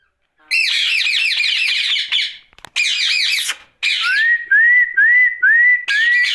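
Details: Talking Rose-ringed parakeet at night: two long stretches of rapid harsh squawking, then a rhythmic series of five rising whistled notes about half a second apart.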